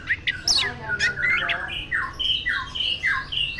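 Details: Orange-headed thrush, a caged bird from Tasikmalaya, Indonesia, that often wins first place in contests, sings loud clear whistled phrases of falling and level notes, each about a third of a second, in rapid succession.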